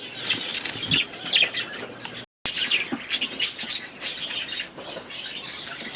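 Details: A flock of young budgies in their new aviary during their first days there produces lively high warbling and chirping in bursts, with a brief silent gap partway through.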